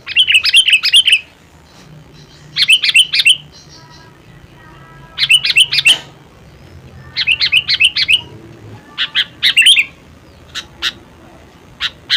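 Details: Sooty-headed bulbul, locally kutilang, delivering repeated bursts of fast chirpy notes in phrases about a second long, separated by pauses, with faint thin tones in the background.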